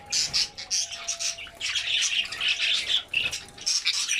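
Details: Feeding albino budgerigars with red eyes make lively chatter: clusters of very high sharp chirps alternating with lower scratchy squawks, many birds calling together, a faint tone in the background.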